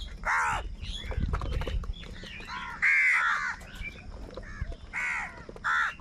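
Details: Crows quarrelling over food give scattered harsh caws of varying loudness, with a cluttered low-pitched background.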